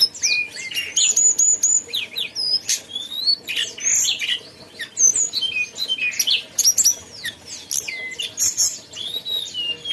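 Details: Mountain tailorbird in full song: a busy run of high, thin whistled notes, sharp upslurs and downslurs and short trills, delivered in quick bursts with brief pauses, all very high-pitched.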